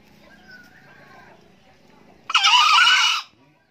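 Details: An old male green junglefowl, a diligent crower, gives one short, harsh, hoarse crow lasting under a second, after a few seconds of faint background murmur.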